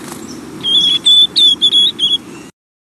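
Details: A young White-throated Sparrow hatched this summer in northern forests babbles its fall subsong while wintering, less structured than an adult: five short, pure high whistles on nearly one pitch, some slurred, in an uneven run over faint hiss.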